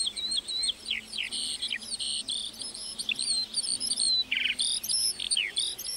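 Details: Lark in a meadow sings a lively mix of buzzy bursts, short trills and thin whistles in rapid, irregular succession.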